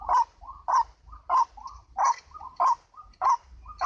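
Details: Ruak-ruak, the white-breasted waterhen, in a lure recording: loud grating calls about every half second, with muffled softer notes filling the gaps.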